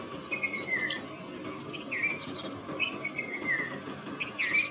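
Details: Red-vented bulbul (Pycnonotus cafer), call.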